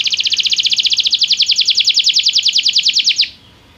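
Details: Belgian canary singing, recorded as stimulation training for song: a steady, rapid high trill of repeated notes, about eight per second, lasting three seconds before stopping abruptly into quiet.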